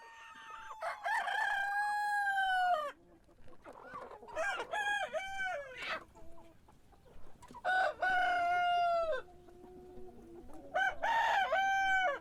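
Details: Roosters crow in the morning, four harmonic crows about two seconds each, each ending with a downward slide, loud and nearby, alternating with quieter clucks between them.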